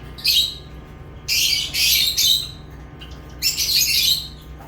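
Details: Lovebirds chirping in loud, harsh, high-pitched bursts, three main bouts each lasting about half a second to a second, with scratchy squawking quality and short quiet gaps; faint low hum underneath, no other sounds.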